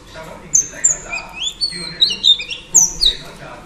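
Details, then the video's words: Female Oriental Magpie Robin singing to stimulate males with rapid, sharp high whistles and slurred notes, some slightly harsh, in quick uneven bursts. "Than mái hót kích trống Oriental Magpie Robin Female"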